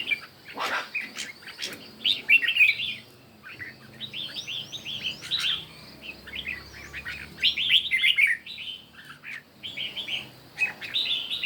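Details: Morning singing contest of red-whiskered bulbuls, with fast, jumbled warbling phrases tumbling over one another in several bursts across the recording, lively and chirping throughout.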